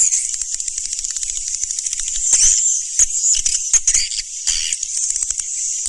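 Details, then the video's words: Swiftlets from a newest master recording: steady, very high, dense twittering and chirring with little pause, and sharper clicking accents scattered through the middle. "SUARA BURUNG WALET MASTER ALL TERBARU"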